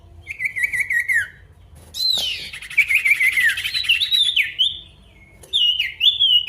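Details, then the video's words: Male pied bush chat singing to challenge an opponent: a wavering whistle, then a long tumbling run of rapid warbled notes falling and rising, ending with high whistles that dip and recover. "PANCINGAN SIRTU GACOR MANGGIL LAWAN"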